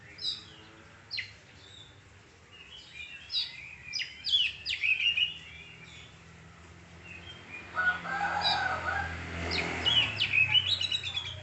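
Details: Kacer (oriental magpie-robin) song of rapid chips and whistled slurs in clusters, partly overlapped midway by a broad harsher sound, over a faint low hum.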